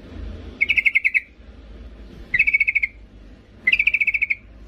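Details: Yellow-vented bulbul, a female calling the male for luring: three evenly spaced bursts of about eight rapid bubbly notes, roughly one and a half seconds apart.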